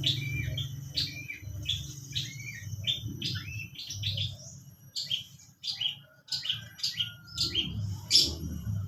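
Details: Long-tailed shrike singing a song filled with mimicked lovebird notes: rapid series of high, sharp chirps and short downslurred tweets, uneven in rhythm, with a steady low hum running underneath.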